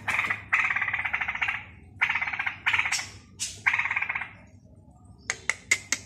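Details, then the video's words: Young straw-headed bulbul from Balikpapan rehearsing song: repeated long rasping, buzzy trills of a second or so, a thin rising squeal, then four quick sharp clicks near the end. "Cucak Rowo Belajar Bunyi"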